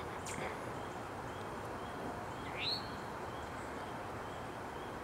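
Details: An Eastern Towhee at Clyde Shepard Nature Preserve on 13 February 2017 gives a single short, rising, slurred call over steady broadband hiss, with a faint brief chip just before it.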